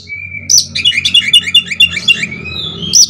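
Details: Oriental magpie-robin (kacer) delivering a konslet-style song used as a lure so other kacer sing; a long even whistle, then a fast rhythmic burst of sharp chirps about six per second, ending with another whistle, over low background hum.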